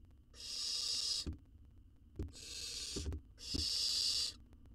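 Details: Wild baby owl swallowing a whole jird inside a research-monitored nest box; three hoarse hissing calls in quick succession, about a second each, mixed with dull thumps and scraping knocks.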